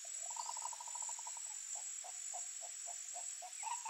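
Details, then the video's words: A free wild Green Ibis gives a quick rolling run of mellow notes that slows into evenly spaced hollow calls, about three a second, over a steady high insect drone. "GREEN IBIS sounds"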